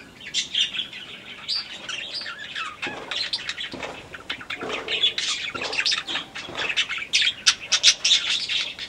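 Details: Caged yellow-crowned parakeets in an aviary keep up loud, continuous, high-pitched chattering, with rapid squeaky chirps and harsher squawky notes tumbling over one another and growing busier toward the end.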